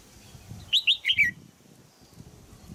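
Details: Female crested bulbul calling from a cage in Thailand to stimulate a young male to sing well; a single lively phrase of four high whistled notes, the final one sliding down, over low background rumble.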